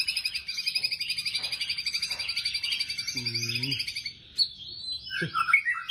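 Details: White-rumped shama in a fierce 'tembakan' singing style, used to prompt other shamas to sing: about four seconds of rapid buzzy, rattling trill, a brief low nasal sound, then sharp whistled notes.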